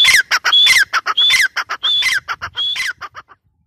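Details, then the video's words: A grey francolin, or teetar, gives a loud series of repeated shrill phrases, each a high whistled tone sliding down into harsh notes, quickening into shorter bursts before fading to silence near the end. "Teetar sound | Partridge sound | gray francolin teetar voice"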